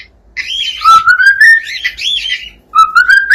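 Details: Singing cockatiel giving loud, clear whistled phrases, a rising slide followed by wavering warbled notes, then a pause and another upward-sliding whistle.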